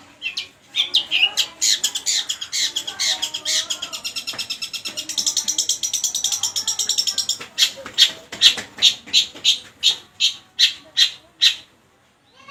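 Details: Long-tailed shrike singing lovebird imitations: a long, rapid, buzzy rattle of high notes, then a steady series of sharp, evenly spaced squawky notes, with faint voices behind.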